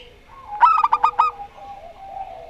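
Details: Zebra dove of the Rondo Semoyo local line: a brief staccato phrase of about five clipped coos, followed by faint trailing murmurs.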